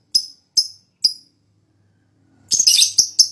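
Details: Breeding-condition fighter lovebird, lure song: three separate shrill chirps, a short gap, then a dense rapid chattering burst of overlapping harsh notes ending in two more chirps.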